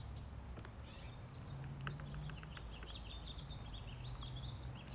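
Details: Ducklings being given more food: thin, high whistled peeps come in quick overlapping runs through the second half, some slightly rising or arched, over a steady low rumble and scattered sharp pecking clicks.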